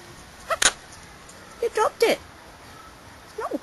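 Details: A pet monk (Quaker) parakeet talks about his apple in short, raspy, word-like bursts of imitated human speech, repeating "nice" and "yes".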